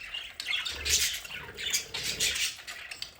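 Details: Pet budgerigars in an indoor play area chatter busily, with overlapping squawky chirps and rapid warbles in loud bursts and a brief low thump near the start.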